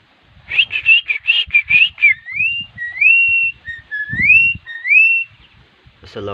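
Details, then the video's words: Javan myna learning a greeting: a quick series of bright chattering notes, then several loud, clear whistled phrases that rise and level off, each about half a second long, with a low rustle in the background. "Ngajarin jalak kebo memberi salam,ahirnya dia bisa"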